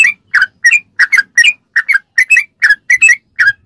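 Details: Fast ropelan song from a sooty-headed bulbul, meant as a model for captive birds to learn. Clear whistled chirps, many paired, come in quick bursts about three or four times a second over near silence.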